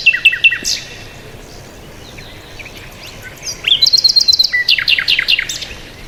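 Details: Mixed birds chirping: a few quick high chips open the scene, then comes a quieter gap, then a lively run of rapid, evenly repeated sharp notes and falling whistles from more than one bird, over faint background noise.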